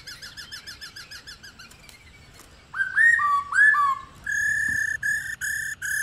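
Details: Female black-throated laughingthrush calling to draw males and make them sing. A fast run of small slurred notes is followed by loud upward-sweeping whistles, then a steady series of level whistled notes.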